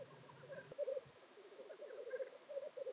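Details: Displaying black grouse at a traditional North Wales lek near Llandegla Forest, late February: continuous bubbling, rolling coos from several birds, broken by short higher hissing notes near the start and again after two seconds.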